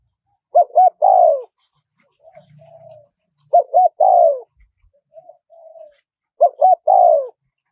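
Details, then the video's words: Spotted dove giving a small-voiced wild-style call (kharom pa), used as playback to lure wild doves: three low cooing phrases, each two short notes then a longer falling croo, about every three seconds, with soft faint coos between. "เสียงนกเขาใหญ่ คารมป่า (เสียงเล็ก) มีขัด มีหนุน คูอ่าง ใช้สำหรับเปิดต่อ ยั่วนกป่าเข้าร่วมเร็ว"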